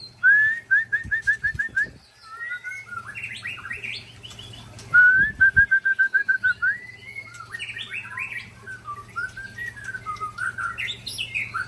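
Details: Sparring white-rumped shamas of the Ujong Pancu and Tangse types from Aceh. Rapid rows of pure, even whistled notes alternate with jumbled, varied warbling phrases, the two singers overlapping.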